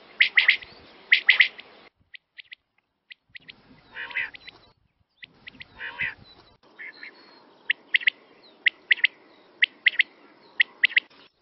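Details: Quail calls for hunting: rapid doubled and tripled sharp chirps, some closely spaced, with several hoarse, nasal quack-like bursts between them and brief silent gaps.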